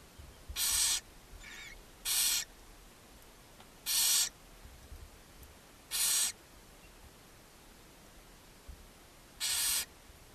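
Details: Barn owl nest box on a chimney in Ságvár, Hungary, filmed May 4, 2024 while the mother feeds seven owlets. Five loud, rasping hisses at irregular gaps of roughly one to three seconds, plus one fainter hiss, in quiet surroundings.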